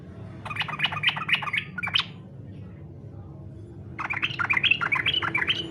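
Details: Yellow-vented bulbul singing in fighter style, used as a lure to prompt other bulbuls to sing: two fast bursts of bubbly, chattering whistled notes, the first lasting about a second and a half, then a pause before a second longer burst.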